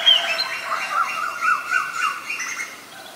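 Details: A wild Oriental magpie-robin (Copsychus saularis) sings in its natural habitat, a fast, scratchy run of harsh chattering notes mixed with brief thin whistles, several phrases a second without pause.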